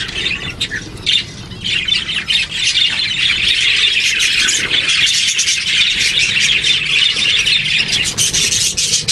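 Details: Parakeet hatchlings begging, a dense continuous chorus of harsh, raspy squawks and chirps packed together at high pitch, rising and falling in loudness, with faint low rumble beneath.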